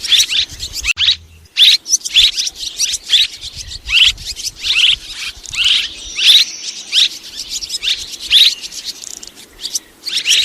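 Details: Two kinds of swiftlet calling together, 2023: sharp, high chirps come in quick clustered bursts roughly every half second, with one short pause near the start.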